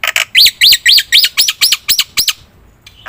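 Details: Black-winged myna singing lively as a lure recording: a quick series of about nine bright arched whistles with rasping edges, evenly spaced, then a short quiet pause.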